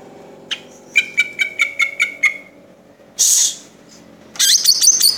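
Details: Cucak ijo (green leafbird) singing in the tembakan cililin style: a sharp opening note, then a rapid run of about eight evenly spaced chirps, followed by two bursts of harsh, hissing, scratchy notes.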